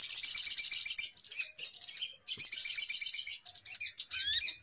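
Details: Noisy little spiderhunter call used as a lure for trapping: two long, rapid, high chatters split by a brief pause, with short chirps after them and a few rising whistles closing the sequence.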